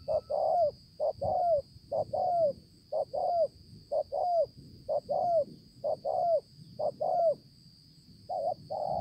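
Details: Spotted dove, a wild-caught bird with a handsome spotted collar, recorded in Konlong on 5/9/2020. It coos steadily in paired phrases, a clipped note followed by a longer falling coo, about once a second, over a constant high hum.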